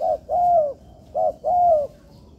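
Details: Spotted dove at training in a constructed yard, calling clearly: a clipped coo, then a long smooth hollow note, the pair repeated twice in quick succession.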